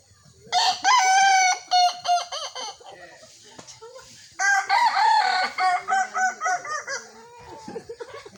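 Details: Two crows from a kukuak balenggek cockerel during a crowing contest. Each opens with a long bright note and breaks into a rapid, multi-syllable stuttering sequence, with soft trailing notes and a little background noise between them.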